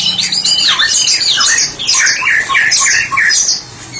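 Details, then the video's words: Dense, energetic ngeplong song of a therapy-specialist White-rumped shama: tumbling looping whistles and chattering notes packed tightly, barely pausing. "Murai batu spesialis terapi sedang ngeplong"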